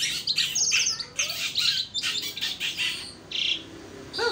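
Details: Asian pied starling (jalak suren) in energetic song, puffing up. Harsh, rasping high chatter comes in dense bursts of scratchy notes at an uneven rhythm, with brief whistled accents and a short clear note near the end.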